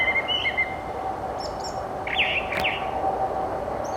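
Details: Brown Thrasher singing on a spring morning at Carpenter Nature Center among meadows and ridgeline trail: a long string of varied, loud, colorful phrases, some whistled and some slurred up and down, over a steady outdoor hiss.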